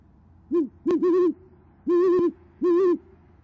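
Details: At an Oklahoma City nest on a January 2014 evening, a female great horned owl hoots to summon her mate, who replies. Deep, steady hoots given singly and in pairs with short gaps, close and clear over quiet background.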